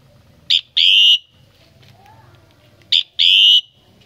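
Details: Common myna recorded at a family home during Tết 2018, giving two loud, harsh whistled phrases about 2.5 seconds apart, each a short burst followed by a longer, sustained, slightly falling whistle, over a low background hum.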